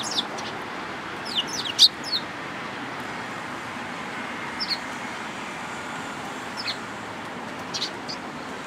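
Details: Sparrows at a Tenmangu shrine on 13 April 2022, one lacking its tail, heard as a cluster of bright chirps near the start, then sparser single notes over soft steady background noise.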